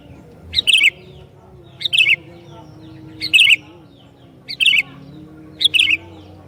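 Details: Sooty-headed bulbul singing persistently to provoke other bulbuls, delivering five cheerful chirpy phrases of two to three notes, a sharp high note then a warbling flourish, roughly every 1.2 seconds over a low hum.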